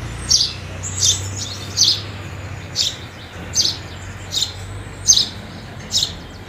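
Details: House sparrows at food, repeating single sharp high chirps at a fairly even pace, about eight in a few seconds, over a faint low hum.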